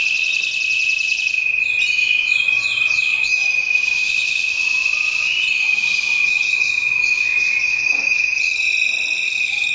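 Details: Red mosaic canary, milky white with orange stripes on both wings, delivers a varied run of rapid trills and rolling phrases, some sliding and fluttering, above a continuous high steady tone.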